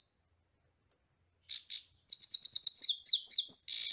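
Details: European goldfinch song: a few buzzy opening notes, then a rapid, tinkling twitter of short repeated notes that runs into a sustained, harsh buzzy note at the end.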